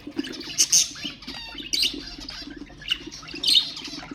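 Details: Budgerigars kept as cage birds, chattering to stimulate other birds: three loud squeaky bursts separated by softer warbled twitters, with a faint low hum throughout.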